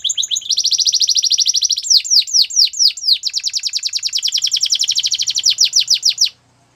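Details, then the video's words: Domestic canary singing a continuous song: fast rolling trills of high notes, then a run of repeated downward-sweeping whistles and a long rapid chatter, ending abruptly in silence. "The BEST Canary Sounds!! Canary Training"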